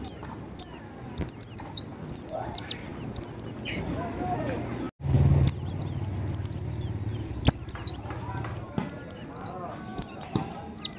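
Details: A white-eye, used as a lure to provoke other white-eyes into singing, gives bursts of thin, very high twittering notes, fast and chattering, in runs of a second or two with short pauses between.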